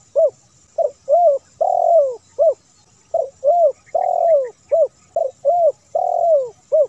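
Spotted dove giving soft, hollow coos: quick short notes followed by a longer, drawn-out falling coo, repeated in steady phrases, with a faint high hiss behind.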